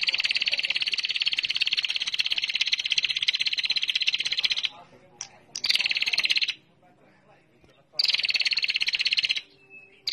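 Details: Female bar-winged prinia lure call: long, fast buzzy trills of tightly repeated notes, one running about four and a half seconds, broken by short gaps, with a few faint thin chirps between bursts.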